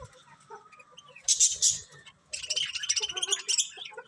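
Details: Colourful pet budgies chirping in bursts of bright, high, scratchy chatter, with quiet gaps between louder busy passages and faint low murmuring underneath.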